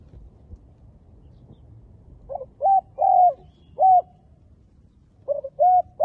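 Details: Lure spotted dove for bird trapping: after a quiet start, three hollow coos in quick succession, a pause, then another group of three, each note arched and slightly falling.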